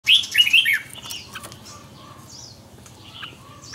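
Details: Red-whiskered bulbul singing in the morning for song training: a loud burst of rapid warbled, looping notes at the start, then faint scattered chirps and thin whistles from other birds for the rest.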